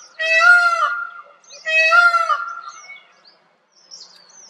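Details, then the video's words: Two loud, drawn-out nasal calls from a peafowl in a forest, about a second and a half apart, rich in harmonics and fading at the end; thin high chirps of other small birds follow. "Peafowl In A Forest"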